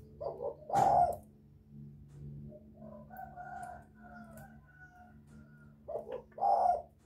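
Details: Spotted dove cooing to attract other doves: a short throaty phrase at the start and another near the end, with quieter faint calls between and a low continuous hum.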